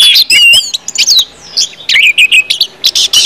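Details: Orange-headed thrush song in ngeplong style, used as a prompt for other birds: clear rising whistles, then short bursts of bright notes separated by brief pauses.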